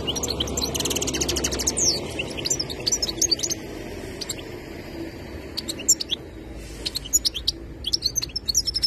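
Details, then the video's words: Goldfinch song with bright chattering twitters and buzzy trills, loudest at first and then more broken into short tinkling notes and thin whistles, against a noticeable low rumbling background. "تغريدالحسون الخوي twitter chardonneret"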